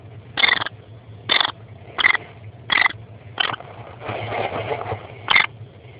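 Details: Male and female kestrel pair inspecting a nestbox before the breeding season, 8 February 2012, 10:34, with mating already begun: about six short, harsh, scratchy high calls spaced unevenly over several seconds, over a low hum and some scraping.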